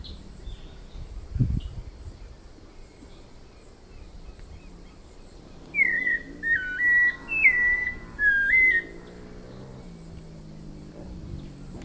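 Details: A White-necked Thrush (Turdus albicollis) in Brazilian forest sings four short, clear whistled phrases of slurred falling and rising notes over about three seconds, with faint distant chirps and a low background rumble.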